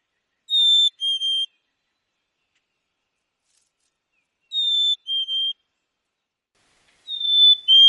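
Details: Black-capped chickadee in Wisconsin giving a clear two-note whistle, fee-bee, the second note lower, repeated three times about every three seconds; quiet background.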